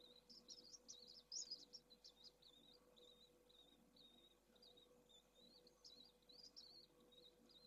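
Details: Pallid swift webcam recording from 4 June 2022: short, buzzy, high trilled calls in quick bursts, repeated irregularly throughout, over a steady low electrical hum.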